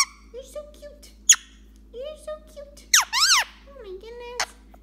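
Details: A pet Indian ringneck (rose-ringed) parakeet talks in short, high, squeaky word-like phrases broken by quick bursts of rising-and-falling chirps, while its owner nearby coaxes it to say thank you and give kisses.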